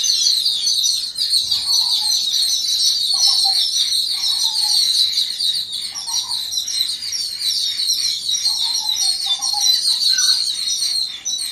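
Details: Yellow-billed babblers calling together in reaction to an unidentified threat: a dense, continuous harsh chattering at high pitch throughout, with short lower notes breaking in every second or two.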